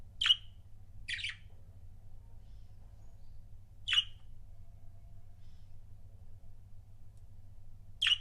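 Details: Budgerigar couple kept as pets giving four short, sharp, high chirps separated by long quiet gaps of up to four seconds, over a steady low hum.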